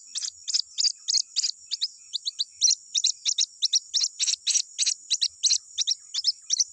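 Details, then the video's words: Calls of a white-breasted waterhen chick to its mother during the chick season, used as a lure call. High, piercing chips come in quick runs of about three a second, some doubled, over a constant high-pitched hum. "SUARA ANAKAN RUAK RUAK MEMANGIL INDUK NYA"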